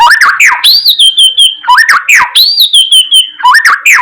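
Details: White-rumped shama singing loud, rich whistled phrases: a rising note sweeping into a long high whistle with a fluttering tail, repeated roughly every second, with sharp clicking notes between phrases.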